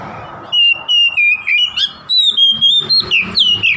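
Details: Oriental magpie-robin song meant to provoke a rival: a fast run of clear whistled notes, each about a tenth of a second, mostly level with a few rising and falling slurs, after a quiet half-second start with faint low hum.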